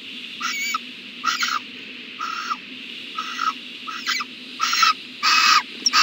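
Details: Owl at a nest box on a January morning, 14 January 2020, giving harsh hissing bursts, about seven in six seconds, each roughly half a second long, irregularly spaced, over a steady low background hum.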